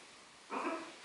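A red-and-green macaw gives one harsh, raspy squawk lasting about half a second, set against a faint steady background hiss.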